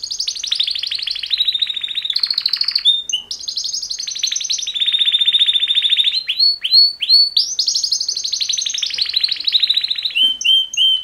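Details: Mating song of two male canaries: long sustained rolling trills at high pitch, broken by sharp whistled upsweeps, then renewed trilling and a run of clipped repeated notes at the end.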